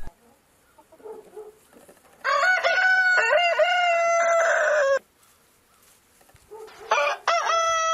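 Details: Dawn crow from a rooster, a strong harmonic call sustained nearly three seconds with slight wavering steps, preceded by soft low clucks and followed after a pause by the start of another crow.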